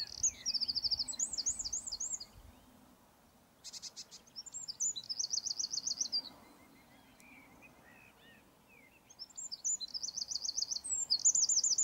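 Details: Three energetic high song bursts from a Eurasian wren, each full of rapid rolling trills and twittering notes, with brief quiet gaps between them.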